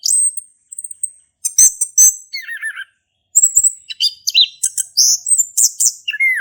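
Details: Lively male orange-headed thrush, ngeplong-style song meant to coax silent thrushes into singing: thin high whistles, sharp clicking notes and rapid twittering phrases, including quick descending slurs, delivered in dense runs after a short silence.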